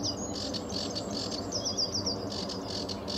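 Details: Sedge warbler singing at RSPB Fowlmere on a bright early morning in July 2013: rapid, harsh high notes with a brief run of clear, sharp descending whistles in the middle.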